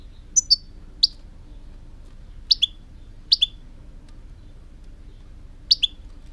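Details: European goldfinch uttering brief, high, clipped chirps in pairs or singly, separated by gaps of one to two seconds, against a soft low hum.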